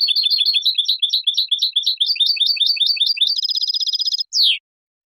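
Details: Spanish European goldfinch clean song for training juveniles and for competition: fast run of rising and falling twittering notes, then a dense buzzy trill, ending in one loud descending sweep.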